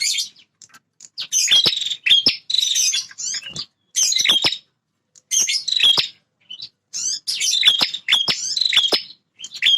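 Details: Territorial male bar-winged prinia in energetic song: a rapid run of harsh buzzy phrases broken by crisp clicks, in about six bursts with brief pauses, high and scratchy throughout.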